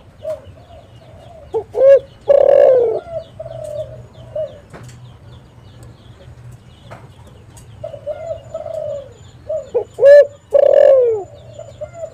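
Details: Spotted dove calling to lure other spotted doves for trapping, in two cooing phrases: short stuttered notes, then a loud drawn-out coo that dips at the end. Fainter low cooing continues between the phrases.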